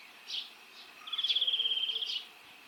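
European Greenfinch giving a fast, even, high trill of about fifteen notes in just over a second, preceded by a few soft chirps.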